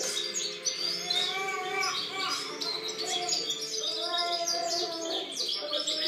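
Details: European goldfinch song recorded in 2013: dense, rapid tinkling twitter and chirps high in pitch, overlaid by lower sustained tonal notes and some background murmur throughout.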